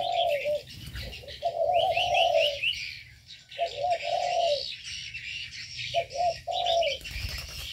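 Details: Caged birds in an aviary give low, rolling coos in bursts about a second long, separated by short silences, with a thin layer of high chirping and brief trilled notes overhead.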